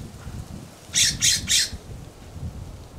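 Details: California scrub jay scolding from a backyard plum: three quick, harsh rasping squawks in a tight burst, with low rustling and background rumble underneath.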